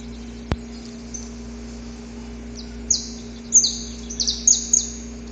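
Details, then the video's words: Wild-recorded saffron finch: after a quiet start, high sharp notes sliding downward come in an uneven cluster, some doubled, over a faint steady background hum. "Canto Para Esquentar o Canário da Terra - Gravado na Natureza!"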